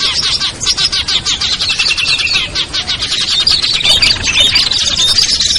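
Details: Mixed chorus used to lure small birds such as ciblek, kutilang, trucuk, sogon and perenjak down from cover; rapid, scratchy chattering and high twitters in a constant crowded stream, briefly dipping in loudness.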